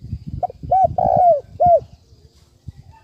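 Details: Spotted dove cooing, used as a lure call for trapping: a soft short note, then two deep drawn-out coos and a final coo, low and hollow, over faint background rustle.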